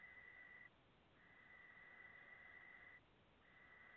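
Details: Barn owl chicks, a brood of five from a late hatch in August 2017, making long steady hissing screeches with brief gaps between them, fairly quiet.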